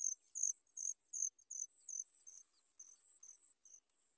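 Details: Baby sooty chats beg for food while waiting for their mother: rapid, piercing high chirps repeated about three times a second, loud at first, then softer and more run together.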